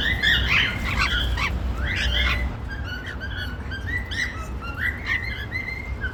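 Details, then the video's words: Male and female normal grey cockatiels making happy sounds: bursts of bright chirps and short squawks, then a run of quicker repeated tweets over a steady low background hum. "Cute Male & Female Normal Grey Cockatiels Making Happy Sounds"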